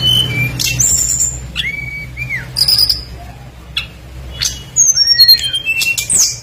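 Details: Tledekan, a blue flycatcher, singing vigorously with a full repertoire, used as a lure to make other birds sing: high clear whistled notes, some sliding down, others rising, in separate phrases over a steady low hum.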